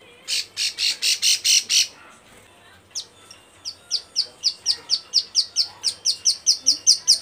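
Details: Calling males, a female bar-winged prinia in breeding condition opens with seven loud buzzy rasping notes. After a short pause comes a lengthening run of crisp downslurred chips that grows steadily louder, about three per second.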